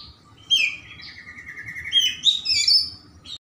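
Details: Oriental magpie-robin (kacer) in rich, varied song, used to lure slow-to-sing birds into singing: a fast rattling trill drops steadily in pitch, then gives way to bright, rising and falling whistles and chirps, over a faint steady low hum.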